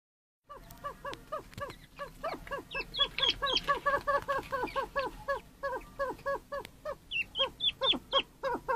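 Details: Chukar partridges in breeding season give harsh, clucking chuck notes, about four a second, in a steady rolling chorus, with several birds seeming to call over one another.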